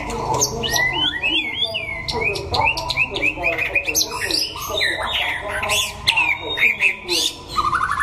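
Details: White-rumped shama from Đắk Lắk, Vietnam, in a singing contest, sunning: loud clear whistled phrases, rising and falling slurs and quick chirps follow one another rapidly, over steady murmuring voices and crowd noise.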